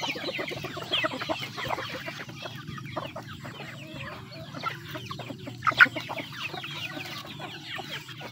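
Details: Chickens eating: steady soft clucking and scattered chirps over a low hum, fairly even, with one sharper louder call near the sixth second.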